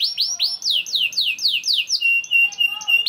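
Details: Song of a young canary (kenari paud), meant to spur other canaries into singing: repeated rising-then-falling swept notes about four per second, ending in short high pips over a steady whistle.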